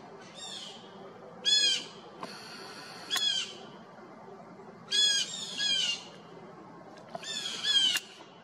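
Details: A blue jay in Hawridge gives harsh, ringing paired notes, each burst about half a second long, repeated every couple of seconds over a steady background hiss.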